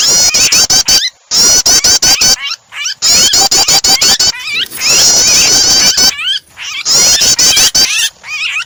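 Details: Prinia sounds blended with a pinched, distressed bird as a starter to make other birds sing. Long runs of shrill, rapidly repeated high notes alternate with brief silences, joined by twisting, squealing upward-sweeping cries in later bursts.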